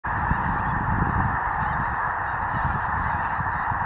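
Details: Large fall flock of snow geese feeding in grain fields near Outlook, Saskatchewan: a continuous dense roar of countless overlapping honks, with a low rumbling noise underneath.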